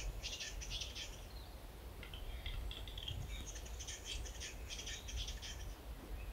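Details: Capercaillie cock at a Finnish lek during dawn tree courting, tail fanned to impress hens; several quick series of harsh, rattling click bursts, followed by softer scraping notes and a renewed clattering run over low background noise.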